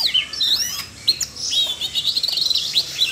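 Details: Excited Siberian rubythroat song, triggered by voice-training playback for a young bird; dense run of high, slightly buzzy whistles and twitters, with a brief dip in loudness near one second.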